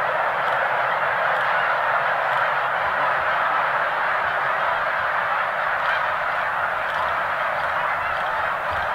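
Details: Snow geese taking off together from Middle Creek Wildlife Management Area, Pennsylvania, in March 2015 ahead of their migration north. A huge flock produces a constant clamour of merged honks with no pauses.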